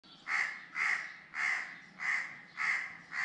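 A crow gives harsh, rasping caws, six in quick succession about half a second apart, each a short hoarse burst.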